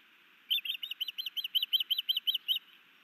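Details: Male osprey sky dancing over Hellgate Canyon, Missoula, Montana, on 11 May 2019 before delivering a fish to its mate: a quick run of about a dozen sharp, high whistled chirps in two seconds.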